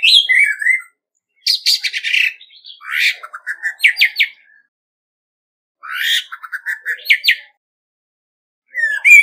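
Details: Orange-headed thrush (Geokichla citrina), a decoy bird singing competitively, gives rich, varied phrases of sweet whistles, buzzy notes and quick trills in bursts with short pauses, with no background noise; a Vietnamese recording of a species found across South and Southeast Asia.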